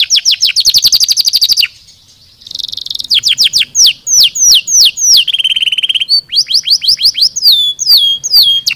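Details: Canary singing to stimulate lazy birds: a fast high trill, a short buzzy burst, then series of falling whistled sweeps, a rattling trill and sharp descending notes, all loud and continuous.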